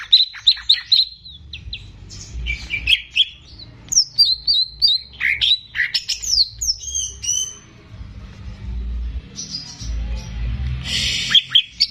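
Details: Greater green leafbird, caged and in active song, recorded to train young birds: a varied stream of sharp whistles, chirps and rapid note groups, ending in rough, noisy calls.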